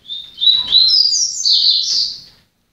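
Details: Papa-capim (yellow-bellied seedeater) singing one continuous, bright, high-pitched phrase of quickly rising and falling chirped notes lasting about two and a half seconds.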